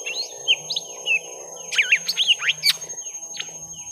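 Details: First-round fight of young lesser green leafbirds: quick whistled slurs rising and falling, then a loud burst of sharp strident notes, over a steady mechanical hum.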